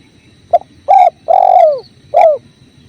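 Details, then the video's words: Spotted dove phrase over a flowing clear river: a brief soft click-like note, then a hollow coo, a long drawn coo sliding downward, and a final shorter falling coo, with constant water rush beneath. "Masteran Tekukur"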